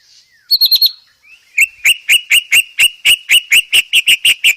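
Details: Training song of a white-rumped shama for cage birds. A quick run of four high notes comes first, then a steady series of clear whistled notes, roughly three per second.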